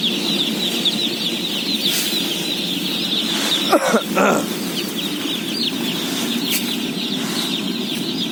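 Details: A feeding flock of 17,000 day-old chicks keeps up a shrill, massed peeping over a low rumbling drone, broken midway by a loud knock and scrape and a few sharp rustling bursts.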